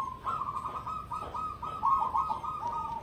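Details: Competition-grade cemani zebra dove giving a continuous soft, rolling coo with a fluttering, trilled texture and small swells in loudness, over a constant low rumble of background noise.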